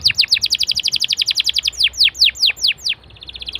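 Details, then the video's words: Canary song as a prompt for other canaries: a rapid series of descending whistled sweeps that slow toward the end, finishing with a faint fast trill. "BURUNG KENARI LANGSUNG RESPON GACOR DENGAN PANCINGAN KENARI INI!!"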